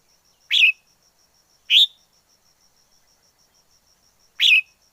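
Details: Wild forest red-whiskered bulbul giving three short, bright chirped notes spaced irregularly over five seconds, with silence between them and a faint steady ticking tone in the background.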